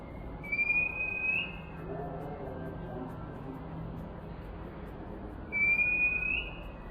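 Indian robin giving two clear, high whistled phrases about five seconds apart, each steady then lifting at the end, over a low background hum.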